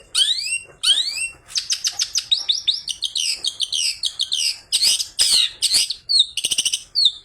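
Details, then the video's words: Long-tailed shrike in full song with imitated material, used to lure other shrikes into singing: two long rising sweeps, then a fast run of whistled chirps, a harsh chatter, and closing sharp trills. "CENDET ISIAN GANAS Pancingan Ampuh"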